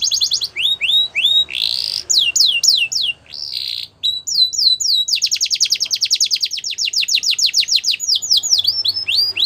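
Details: A Gloster canary sings loud, fast rolling trills of repeated down-slurred notes, broken by a few longer sliding whistles and short gaps, then a long rapid rattle.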